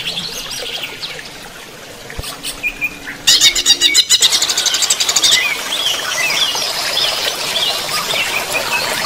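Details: Greater green leafbird singing during running-water therapy: a quiet opening with faint high notes, then a sudden loud burst of rapid, sharply repeated high chips, followed by continuous bright twittering chatter over a steady hiss.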